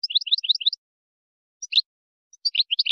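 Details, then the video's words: Moroccan-style European goldfinch song for tutoring chicks and hybrids, with a quick run of repeated tinkling double notes, a pause, a single sharp note, then more rapid twittering phrases. "ويداني_مغربي _لتلقين فراخ الحسون والهجين"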